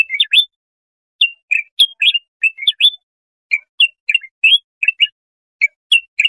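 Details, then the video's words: Bulbul song meant for teaching young goldfinches or hybrids: brief groups of two or three clear chirped notes, rising and falling, delivered in an uneven stream with short pauses, against silence. "تغريد طائر البلبل"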